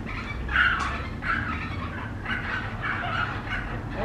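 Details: Weak, very young flamingo chick rescued during a drought and hand-fed formula in rehabilitation; grating begging calls repeat roughly every half second to second, over a low background rumble.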